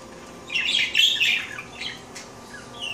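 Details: Pet female parakeet taking her daily bath indoors; a burst of high, scratchy chirps and warbles clusters midway, followed by softer scattered tweets and a thin whistled note at the end.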